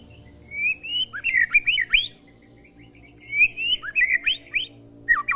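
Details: Oriental magpie-robin song as short training audio: two similar phrases, each a drawn-out rising whistle breaking into quick tumbling notes, over a low background hum.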